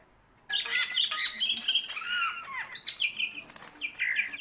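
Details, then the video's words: Greater green leafbird singing for songbird-training use, a loud continuous burst of varied phrases: rich whistles, sweeping slurred notes and squeaky chatter tumbling together with no pauses. "burung cucak ijo gacor.joss buat masteran dan pancingan"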